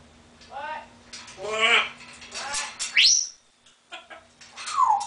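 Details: Pet African grey parrot vocalising indoors: wavering voice-like notes, then a sharp rising whistle. After a short silence come a brief chatter and a clear falling whistle to finish.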